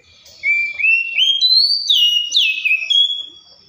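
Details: Clear whistled Oriental magpie-robin song: notes climb step by step in pitch, then a harsh rasp, and the phrase ends in falling, slurred whistles.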